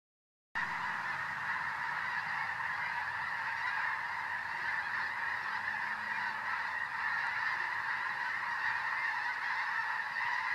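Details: Flock of geese in a field in February, a dense, continuous chorus of overlapping honks from many birds, steady and unbroken throughout, with no single caller standing out.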